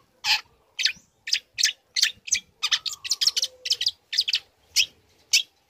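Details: Energetic young long-tailed shrike learning song material, played to stir other shrikes to respond; short sharp notes repeated about twice a second, speeding into a rapid cluster midway, with one brief whistled slur, clean quiet background.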